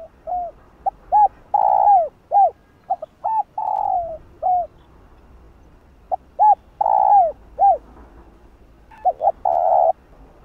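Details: Spotted dove, known locally as cu đất, giving calling coos and gù bow-coos meant to stir other doves: short curved hooting notes in clusters with broad swelling drawn-out coos between, repeated over and over, no other sounds clear.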